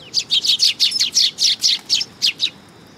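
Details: Sparrows on a raised platform at a Tenmangu shrine, 3 September 2022, chattering in a steady run of about a dozen bright, slightly descending chirps, roughly two per second.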